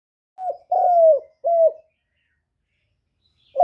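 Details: Spotted dove, a kept bird, cooing loudly with no background noise: three low, hollow coos, the middle one longest and slightly falling, given within about one and a half seconds. A pause follows, then a fourth coo begins at the end.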